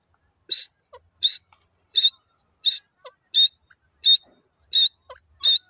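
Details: Wild grey francolin, locally called jungli teetar, giving a series of loud, harsh, high-pitched notes repeated roughly every 0.7 seconds, with faint softer chirps in between and an otherwise quiet background.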